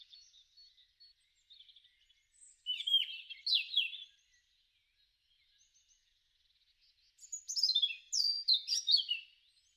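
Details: European robin in a garden during spring, March–April 2013, with quiet scattered notes followed by two loud separate phrases of high, sliding, tumbling whistles about four seconds apart.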